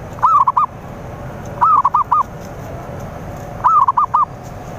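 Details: Zebra dove (perkutut/merbuk) lure song for drawing rivals: three short phrases of clipped, arched cooing notes, the first note longest, the last three quick, phrases spaced about every two seconds over a faint hiss.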